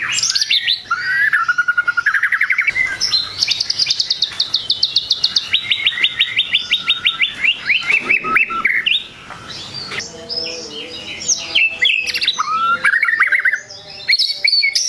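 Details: White-rumped shama song that agitates rival birds: a long rapid staccato series of repeated high notes lasting several seconds, framed by rising whistles and varied warbled phrases.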